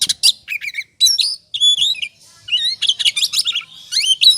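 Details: Lure recording of an oriental magpie-robin in ngobra style: clear ringing whistles mixed with buzzy chirps in short phrases, one brief pause midway, then another rapid run of varied notes.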